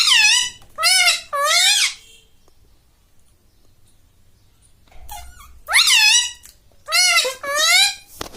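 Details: Human-mimicking pet parrot in a small room utters three quick nasal syllables that dip and rise, falls silent for about three seconds, then gives three more, the middle one sharply rising.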